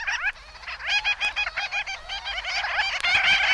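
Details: Black Skimmers, in a 1961 field-guide recording of eastern and central North American birds, give nasal, barking yaps in an overlapping rapid chorus, several calls each second, with a faint background hiss.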